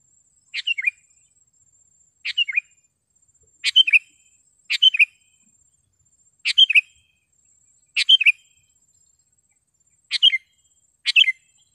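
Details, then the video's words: Sharp, clear song of a sooty-headed bulbul, used for training caged birds and luring wild ones from gardens; eight brief bubbly three-note phrases, each falling at the end, repeated every one to two seconds over a faint high insect drone. "SUARA BURUNG KUTILANG GACOR TAJAM DAN JERNIH"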